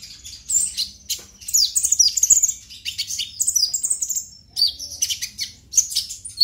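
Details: Purple-throated sunbird (konin), a brown-breasted bird just out of juvenile spotting, singing in the excited ngobra emosi style, used to stimulate young birds: rapid high, thin chirps and sharp slurred notes in bursts, with short pauses between phrases.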